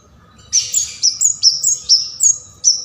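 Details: Bar-winged prinia in a sharp, energetic keres gacor song, used as a lure and tutor for songbirds: a brisk series of very high, piercing chirps and short whistled slurs, about two or three per second, with a faint steady low hum.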